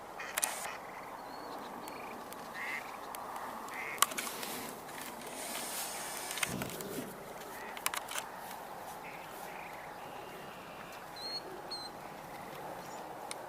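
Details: Distant Mallards heard on 10 June 2023 give scattered nasal quacks over a steady outdoor hiss, with a frog calling in the distance, faint calls of other birds and a few brief noises.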